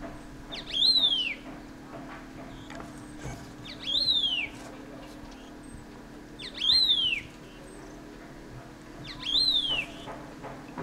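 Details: Dark-throated thrush (Turdus ruficollis) investigating a hollow in an old maple trunk in a ravine at Landour, Mussoorie, Uttarakhand, 26 March 2014, over 200 present; thin, high, falling slurred whistles led by a sharp tick, four times about every 2.5 seconds.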